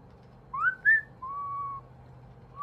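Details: Pet parrot giving two rising whistled notes followed by a long, steady, level whistle, then the start of another note, in a quiet indoor room.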